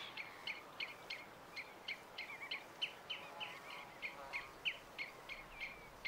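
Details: Pied avocet calling at the RSPB Titchwell Nature Reserve on a weekend visit in September 2016: a steady series of short, clear, sharp notes, about three per second, over a faint hiss of background noise.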